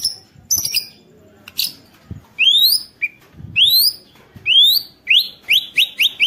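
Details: White-rumped shama song used to provoke other shamas into singing: loud rising whistled upslurs repeated in quick succession, with sharp harsh notes early on and a run of short whistles near the end.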